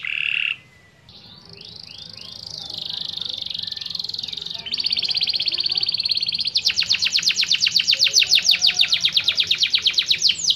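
A canary sings continuously: high, bright rolling trills and slurred rising phrases build into a long, fast, rattling trill of rapidly repeated notes.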